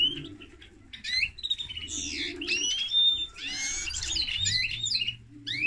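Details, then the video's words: High, sweet warbling from a hybrid of linnet and canary: upward-slurred whistles, a clear held note and quick twittering bursts separated by short pauses. "Mixto de pardillo y canaria - هجين طائر التفاحي مع الكنار"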